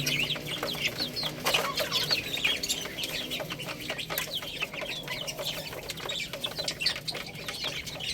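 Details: Baby hens eating rice, a dense chorus of high, quick chirps and cheeps running continuously, punctuated by short clicks as they peck.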